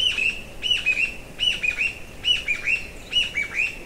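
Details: Possibly a juvenile northern goshawk calling at length, perhaps to its parent, in bursts of two or three high, thin, downslurred notes about every three-quarters of a second, faint background hiss, other birds singing too.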